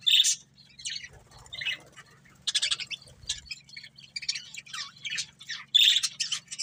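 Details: Budgies of a breeding pair chirping in short scratchy bursts, starting with a loud chirp, pausing, then chattering steadily with another loud chirp near the end, over a faint hum.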